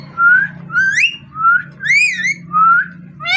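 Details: Rhythmic whistled phrases from a parrot, roughly five rising or arched notes about half a second apart, some with bright overtones, over a constant low background hum.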